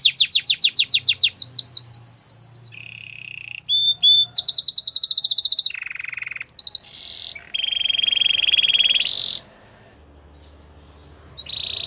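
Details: White Belgian canary singing: fast rolled trills of rising high notes, then a low buzzy steady roll, a bright fast trill, and more held rolls at varied pitches, with short pauses between phrases.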